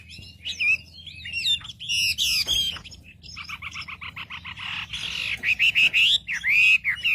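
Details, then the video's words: Wambi song played to stir up other wambi birds: varied loud whistles and chirps, then a fast run of short repeated notes, ending in sharp bursts and looping whistled phrases. "pancingan suara wambi paling ampuh untuk memencing emosi burung wambi"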